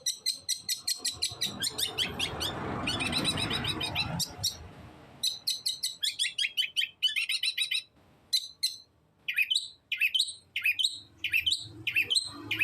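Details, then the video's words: Long-tailed shrike in vigorous 'los trotol' song: fast chattering note strings, a brief noisy rushing passage, then separated loud notes that swoop up and fall, repeated about every second. "BURUNG CENDET GACOR SUARA LOS TROTOL"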